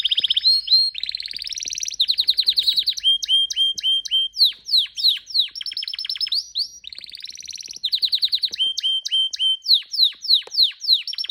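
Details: Pet canary in full song indoors: varied high trills and rolls, rapid repeated slurred notes about three per second, buzzy tours alternating with clear whistled phrases, continuous for the whole clip.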